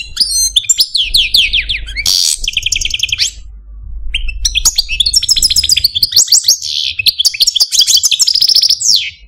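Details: Pet male Algerian Parva goldfinch in a cage sings rapid twittering phrases, a harsh buzzy burst, long rattling trills and fast high chattering runs, with a steady low hum.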